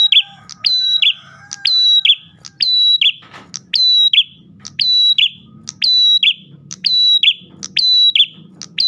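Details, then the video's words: Ash tailorbird song used to attract other tailorbirds, phrases repeating near once per second, each a tick, a sustained high whistle and a buzzy drop, over a steady low background hum and a brief noisy burst. "PRENJAK GACOR pancingan burung prenjak lain"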